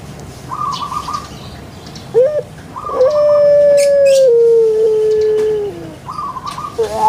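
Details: Domestic puter pelung dove from Java sounds a short rising note, then a long steady tone that steps lower twice before fading. Another bird chirps in bursts before and after.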